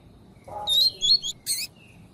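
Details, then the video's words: Lined seedeater female call played to excite and train a male: a soft low note, then two bright whistled slurred notes followed by a short harsh buzzy note, with quiet background hiss. "ESQUENTAR CANTO DO COLEIRO TUI TUI PROFESSOR COM PIADO DE FÊMEA DE COLEIRO"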